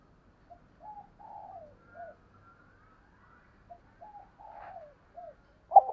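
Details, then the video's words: Spotted Dove kept as a decoy, calling to draw in wild doves. Soft, distant-sounding coo phrases, short hoots around a longer sliding coo, heard twice. Faint thin whistles above, then a sharp knock at the end. "Tiếng Chim Cu Mồi Thúc Và Gáy Gọi Bổi"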